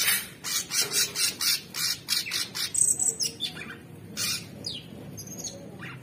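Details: Orange-bellied leafbird, a kept songbird singing energetically, delivers loud broadband bursts in a quick series, then thin high whistles and a short upward sweep near the end.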